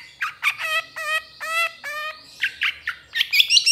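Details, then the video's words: Long-tailed Shrike (cendet) training recording, trotol style: harsh, nasal, harmonic squawk notes in a steady row, turning into shorter chips and a thin high trill at the end. "MASTERAN CENDET TROTOL AMPUH CEPAT GACOR, PANCINGAN CENDET GACOR FULL ISIAN"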